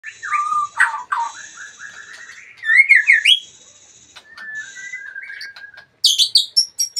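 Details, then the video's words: Retired champion songbird, a magpie-robin, delivering a varied song: fluted whistles and slurred notes shift pitch, with brief buzzy high trills, short pauses and a final burst of sharp, high chips. "Murai Badheuk Sang Juara Pensiun"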